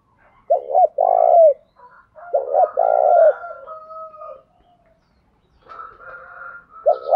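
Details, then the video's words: Morning calling of a decoy spotted dove meant to provoke wild males: repeated low cooing phrases, each a quick doubled note then a longer purring coo, with faint higher tonal notes in the background between phrases. "Tiếng chim cu gáy mồi gáy gọi, mở buổi sáng bổi và mồi xiêng gáy"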